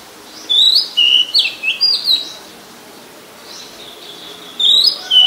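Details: An Oriental magpie-robin (Copsychus saularis) in Ubon Ratchathani, Thailand, on 17 July 2022, sings a run of clear, varied whistles that slide up and down, pauses for about two seconds, then resumes with more bright phrases.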